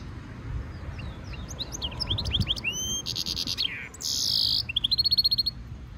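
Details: Hybrid European goldfinch mule in song training, singing quick upslurred chirps, ringing whistled notes, two harsh buzzy bursts and a closing rapid metallic trill, with a steady low background hum.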